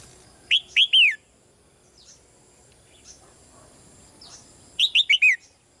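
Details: Caged female red-whiskered bulbul calling gently to prompt a male's louder song; two phrases of three to four quick downslurred whistles, with faint scattered chirps in the gap between them.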